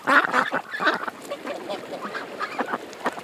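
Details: At a creek, ducks give loud harsh quacks at the start, then softer scattered calls trailing off.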